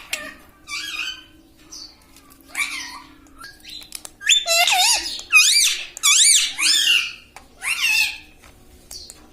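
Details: Indoor talking parrot, taught 'mummy' and 'mitthu', starts with a few soft squawks, then produces a fast cluster of bright wavering speech-like syllables in the middle before trailing off, with a faint hum behind.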